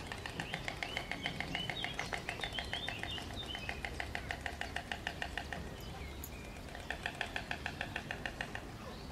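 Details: White storks on their nest: rapid, dry wooden bill clattering in long bursts of evenly spaced clicks, pausing briefly near six seconds before resuming, with faint chirps of small birds in the background.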